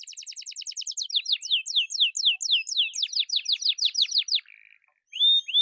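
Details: Atlantic canary in energetic song, recorded as a lure and tutor for silent birds: a rapid trill slows into a series of loud, downslurred whistles, followed by a short low buzz and a sudden loud high note.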